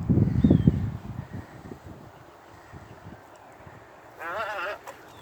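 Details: A tricolored heron that approaches a familiar person and hunches over gives one short, nasal, wavering squawk with a quavering, bleat-like tremble after quiet talk nearby; it often calls when flying and catching prey.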